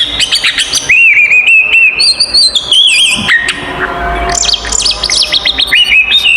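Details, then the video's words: Oriental magpie-robin fighting song, used to provoke other magpie-robins into agitation: loud, varied whistled phrases with sharp rising and falling notes, buzzy trills and quick chattering runs, continuous throughout. "SUARA BURUNG kacer gacor TARUNG konslet paling AMPUH buat PANCINGAN KACER EMOSI"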